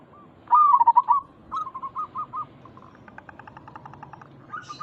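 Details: Singing local zebra dove, a lure to draw replies from other zebra doves: a loud bubbling, rolling phrase, a row of short clipped coos, then a faint rapid pulsing series and a final note.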